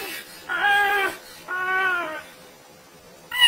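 A parrot gives two drawn-out, nasal, meow-like calls, each over half a second long and gently falling, a second apart; a third starts right at the end.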